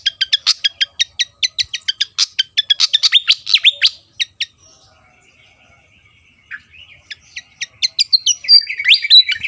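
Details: Javan fantail in energetic song: rapid dense bursts of high sharp chipping notes for about four seconds, a short lull, then renewed quick notes rising into twisting whistled phrases.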